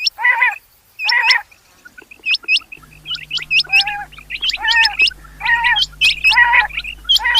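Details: Rain quail chorus: rasping, buzzy bursts repeated roughly every second, overlaid with many sharp, high, hooked double notes. A low steady hum joins partway through.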